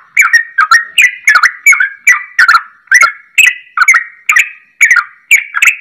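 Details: A vocal captive yellow-vented bulbul delivers rapid, bubbly, liquid whistled phrases, about two or three each second, in imitation of a straw-headed bulbul's song; the recording is meant to prompt other bulbuls to answer.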